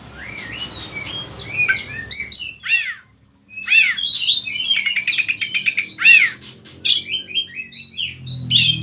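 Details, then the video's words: Gacor oriental magpie-robin, or kacer, pouring out its varied filler song, used to lure and tutor other kacer; soft twitters lead into loud swooping whistles, bursts of sharp chatter and rising notes, with one brief silence. "Pancingan suara kacer gacor, bongkar isian burung"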